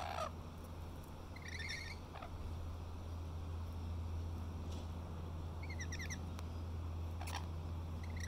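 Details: Rainbow lorikeets at Little Manly, Sydney, Australia, calling back and forth while feeding on grapes: sharp screeches open and close the clip, and two bursts of rapid, rattling chatter sound in between, over a constant low hum.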